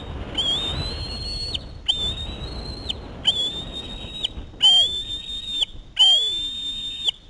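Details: Osprey chick screaming for fish brought by a parent: five drawn-out shrill whistles, each about a second long, over a soft low rumble of background noise.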